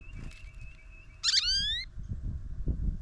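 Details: Goldfinch at a feeder camera on a morning after a break in the snow, giving one loud, bright, wavering call of about half a second with a slightly rising, rich tone; a faint steady whistle-like tone before it and low rumbling background noise.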